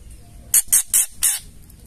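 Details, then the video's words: Female white-rumped shama uttering ketrekan to stir males into singing: four hissing, scratchy bursts about a quarter second apart. "suara ketrekan murai batu betina gacor bikin murai lain langsung bunyi gacor ngamuk"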